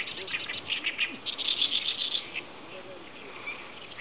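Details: Oriental reed warbler singing in chorus with other birds: loud, harsh, chattering notes in rapid bursts, densest in the middle of the stretch, then fading to softer scattered calls.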